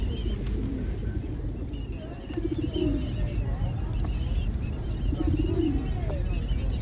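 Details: Low, rolling coos from pigeons by a riverbank, heard as two short throaty bursts a few seconds apart, set against constant low rumbling noise and faint voices.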